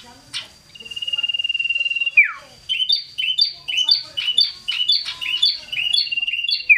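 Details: Loud, eager scarlet-headed flowerpecker hopping around: a long even high whistle that drops sharply at the end, followed by rapid repeated bright chirps about twice a second.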